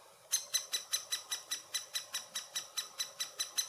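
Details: Summer 2017 at a great spotted woodpecker nest in Furuberget near Hamar, Norway, handheld Panasonic Lumix FZ2000 recording: after a short quiet start, loud scratchy notes follow in an even series, roughly three each second.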